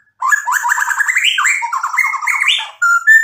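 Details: White-rumped shama in full song, used as a lure to provoke a rival into singing back and to show off its repertoire: rich, fast warbling phrases of rippling, rolling notes that rise and fall, ending in short clear whistles.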